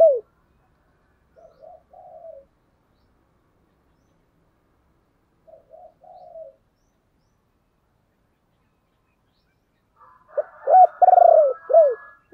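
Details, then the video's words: Decoy spotted dove calling to draw in wild doves: two soft, distant-sounding coo fragments, then a loud full phrase near the end with an arched coo, a long trembling coo and a drooping last note. "Chim Cu Mồi Gáy Gọi"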